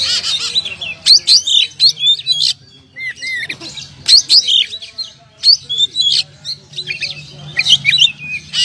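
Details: Champion contest oriental magpie-robin (kacer) with past prize wins, singing loud varied phrases of sharp whistles, rising and falling slurs and harsh chattering notes in quick bursts, with short pauses between phrases.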